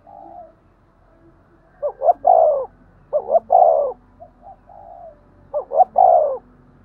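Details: Thúc gù cooing of a spotted dove, a style used to excite other doves: three clear phrases of two quick hooting notes and a drawn-out descending coo, with a faint soft hum before.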